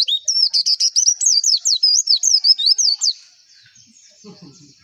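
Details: Pleci, a white-eye, singing for a lure recording meant to raise arousal and make other white-eyes open their beaks: a fast run of high, sharply slurred whistled notes for about three seconds, then near silence with faint low sounds.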